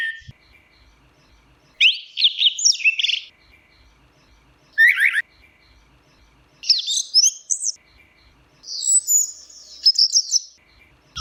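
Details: An Orange-headed thrush's teler song made of scratchy, high-pitched warbled bursts and one sharp descending note, repeated in short phrases with brief quiet gaps between them.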